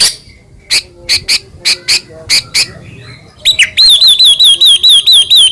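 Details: Captive white-rumped shama, Medan type, used as a singing lure for other shamas: spaced sharp clicking chips, then a rapid even series of high looping whistled notes repeated about twice a second.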